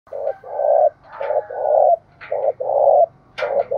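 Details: Spotted dove calling in the forested hills of Đồng Nai, where fast 'gáy thúc' and calling 'gáy gọi' coos are heard. Loud, low, hollow coos run in a steady series of about six notes, some short and some drawn out.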